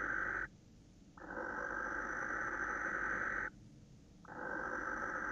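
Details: A male barn owl screeching at a female, 26 December 2017 around 21:07: long, hoarse, hissing screeches, each over two seconds with short pauses between; quiet background.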